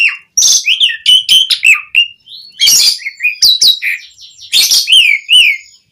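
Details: Vigorous singing by an Asian pied starling, meant to prompt other starlings to respond. Dense, varied whistles and slurred notes come in quick bursts, broken by a few loud harsh squawks.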